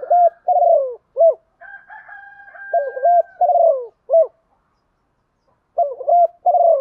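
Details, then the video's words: A female spotted dove in the rainy, stormy season gives soft, hollow, low coos in short clustered bursts with brief pauses, used to stir males to coo; a steady higher drawn note runs beneath them midway. "chim cu mái kích trống mùa mùa mưa bão, anh em mở lên trống lỳ máy cũng gáy theo"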